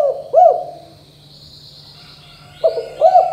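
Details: Spotted dove (tekukur) in 'KUK 2 GACOR DOR' style, played to get young birds singing: two pairs of mellow arched coos separated by about two seconds of near silence, with a faint constant hum and a thin high tone.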